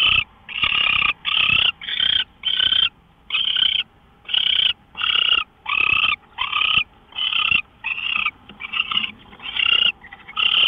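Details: Owl recorded by a live camera, March 24, 2013, 5:27 AM; a long run of raspy, noisy screeching hisses, a dozen short bursts at a quickening, slightly irregular pace.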